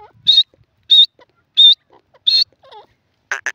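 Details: Black francolin, called Irani or kala teetar; four loud, clear whistled notes about two-thirds of a second apart, followed by faint softer sounds and a short harsh burst at the end.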